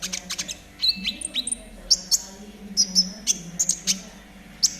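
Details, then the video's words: Konin of the trotol type, a master recording for training caged birds, singing gacor style: high, sharp chirps and short whistled notes in quick irregular bursts, with a steady low hum beneath. "TERAPI KONIN TROTOL AGAR CEPAT BUNYI || MASTERAN KONIN TROTOL GACOR"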